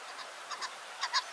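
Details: A family of about 20 common pheasants, flushed and flying off near quarry slate heaps above Elterwater in the Lake District, Cumbria, in good weather, give short, squeaky, nasal chirping notes in loose pairs, one pair rising louder, over outdoor hiss.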